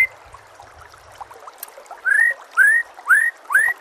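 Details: White-rumped shama master song for training: after a quiet start, four clear upslurred whistles come about every half second, each sweeping smoothly upward.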